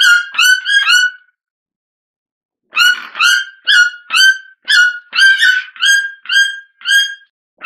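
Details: White-throated (Red-billed) toucan, Ramphastos tucanus, gives loud nasal yelping notes: a quick run of three, a pause, then about ten more at a steady, brisk pace.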